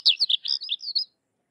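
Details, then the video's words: Sykes's lark singing a brief, high phrase of about one second: a few quick buzzy and whistled notes, sliding up and down, then silence. "Sykes's Lark or Twany Larks Singing"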